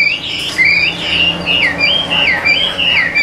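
A hwamei sings a loud, rich run of looping whistled phrases, rising and falling, over a steady background hum.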